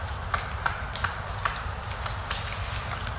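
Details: Female three-toed woodpecker in a forest, stripping bark from a pine to search for insects and larvae; sharp dry taps and cracks come irregularly, roughly three per second, over a steady low background rumble.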